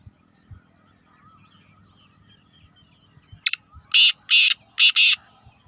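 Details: Black francolin giving harsh, grating broadband notes: a short note, then three loud rasping notes in quick succession near the end, after a quiet stretch with faint low rumble.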